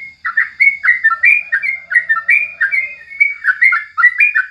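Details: Yellow-vented bulbul (crucukan) song recorded in the morning as a tutor recording for training birds: lively bubbly chirping phrases, each rising then dipping, repeated quickly and without pause, with a faint steady high whine behind.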